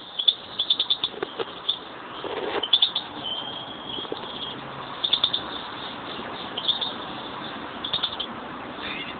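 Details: A pair of European greenfinches kept as pet birds; high, bright chirps in quick rattling bursts of four to six notes, repeated every couple of seconds, over a steady low background hiss in muffled sound.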